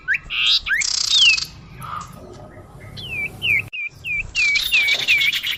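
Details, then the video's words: Common iora calling on a bird lure track: harsh buzzy bursts give way to a quick series of clear, drooping whistled notes, each falling then flattening, roughly three per second, with more buzzing behind. "suara pikat burung sirdum/sirtu/cipoh"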